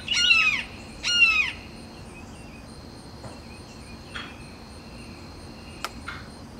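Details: Two loud, falling, harsh screams from a perched red-shouldered hawk calling territorially toward rival hawks, followed by several seconds of near quiet with a few faint clicks and brief chirps.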